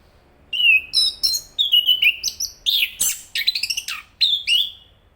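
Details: Thrush giving a longer, varied song of loud whistled notes mixed with buzzy, scratchy bursts and quick stuttering notes, heard against a faint low background hum.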